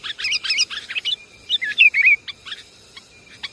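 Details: Sooty-headed bulbul lure recording: bursts of bright, bubbling chirps and short slurred whistles, fast and irregular, with a pause midway before a few scattered notes.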